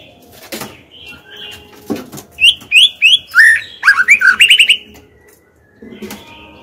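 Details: Female white-rumped shama singing in captivity to prompt males: a fast series of bright, sweeping whistled notes, swooping up and down, then a rapid rising trill, with clicks and soft chirps before and after.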